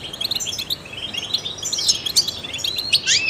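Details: Trained goldfinch song meant to encourage other songbirds: fast high chirping runs ending in a clear upward-slurred whistle, against a soft steady hiss.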